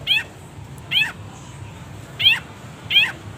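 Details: Long-tailed shrike, a training recording for caged birds, full of pauses: four short, harsh, downward-sliding notes, two close pairs split by a long gap, over faint low hum.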